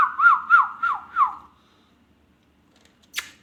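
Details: Ringneck parrot whistling a steady tone that dips rhythmically four times before fading, then one sharp click after a short silence.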